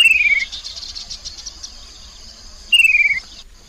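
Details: Two brief, rapid, falling trilled phrases of a Chestnut-capped babbler, used as a lure sound, Mekong riverside at Nakhon Phanom, Thailand, 2021, against a continuous shrill insect drone.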